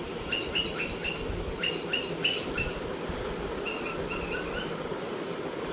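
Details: Pet cockatiel chirping: short bright chirps in quick bursts of three to four, repeated with brief pauses, over a steady low background hum.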